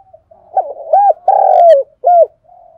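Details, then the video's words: Spotted dove giving its morning call, used as a lure bird: a clean low cooing phrase of short rounded hoots rising then falling, one long drawn middle coo and a final short coo, with no other sounds. "Tiếng cu gáy hay nhất, gáy gọi buổi sáng cực đỉnh"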